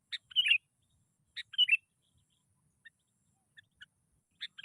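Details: Sooty-headed bulbul (kutilang) used as a singing lure: two short bubbling chirp phrases about a second apart, then scattered soft single notes and the start of another phrase.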